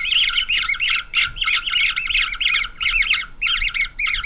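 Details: Fast-growing green wood hoopoe chicks in a nest on a nest cam in Pretoria, South Africa, 9 November 2023, beg with a harsh, rasping chatter of fast squawky bursts, almost nonstop with brief pauses about every second.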